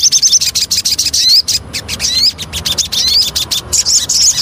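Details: Javan cochoa lure song: short high chatters, each followed by a clear rising whistle, repeated roughly every second over steady clicking.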